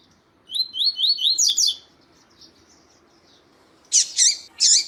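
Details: Double-collared Seedeater (Sporophila caerulescens): a quick run of high, sweet slurred whistles, then after a pause three loud, harsh, buzzy notes.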